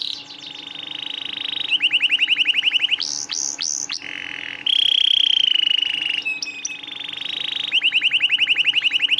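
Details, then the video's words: Canary master song aimed at prompting stalled canaries: steady high tones and fast trills, sudden sliding whistles, a sustained warbling note and clipped notes, then another rapid rolling tour. "masteran burung kenari rajin bunyi cocok buat pancingan kenari susah bunyi/macet"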